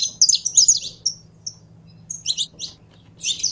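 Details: Captive saffron finch warming up, a rapid cluster of high chirps, a pause with a lone note, then further bursts of bright twittering.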